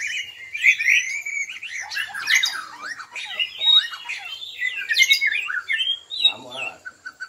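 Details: Black-legged white-rumped shama of the Bahorok type, singing in the rapid-fire 'nembak' style: a dense, unbroken torrent of varied high whistles, sharp up and down sweeps, and chattering trills. A brief harsher, lower burst comes near the end.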